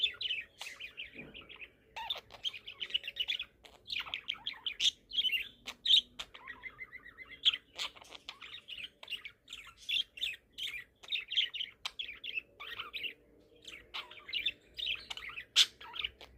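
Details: A 4-month-old budgerigar chirping at sunset gives rapid, scratchy bursts of warbled notes and chatter.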